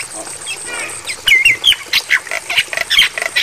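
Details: Javan myna song on a tutor recording for training caged mynas, meant for night playback: a twisting whistled note followed by a quick run of harsh, squawky chatter bursts, with a steady high hiss behind.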